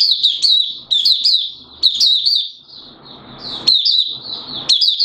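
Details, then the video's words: Singapore, 29 March 2023, warm and humid: a Malaysian mata puteh (Oriental white-eye) in 'buka sing' delivers clipped high twitters in quick bursts over a steady soft hiss. "Malaysian Mata Puteh Buka Sing"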